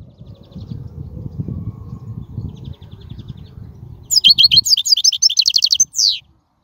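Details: Wild European goldfinch song for tutoring young birds: several seconds of low rumbling noise, then a burst of rapid, bright twittering notes ending in a drawn-out downslurred buzz.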